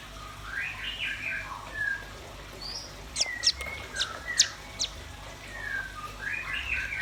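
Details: Red-billed nuthatch together with white-rumped shama. Soft warbled whistling phrases open and close the passage, with a burst of loud sharp high chips in the middle.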